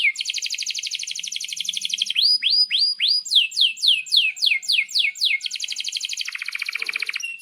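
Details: Canary song meant to train young canaries and coax silent birds into singing: a rapid buzzy trill, then looping rising and falling whistled sweeps, then another dense trill that drops lower near the end.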